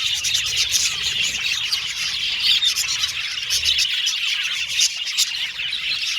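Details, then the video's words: Budgerigars, described as happy Australian budgies, chirping and singing together: a dense, continuous wash of high twittering, chattering and short whistled notes from many birds, with no pause throughout. "Beautiful Cute Budgies Chirping Sound | Australian budgies Singing sound"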